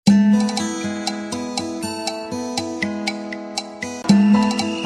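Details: Plucked guitar music with steady repeated notes and no animal sound.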